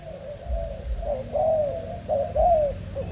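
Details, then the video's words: Young Malaysian-strain spotted dove kept for breeding, uttering mellow, hollow coos that swell and slightly fall, partly blurred by low rumbling noise. "Cu gáy Malaysia"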